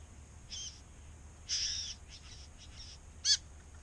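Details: A male Satin Bowerbird at his decorated bower in eastern Australia calls in courtship when a female is near, giving harsh, hissing buzzes in short bursts, then a longer churr and a sharp crackling rattle near the end.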